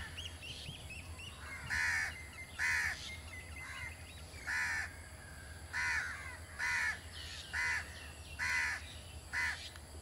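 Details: Blue-tailed Bee-eater at Jeram Mangrove Forest, Selangor, Malaysia, on 2 October 2010, giving short, burry, rolling calls about once a second at an uneven pace; faint chirps of other birds and a low hum behind.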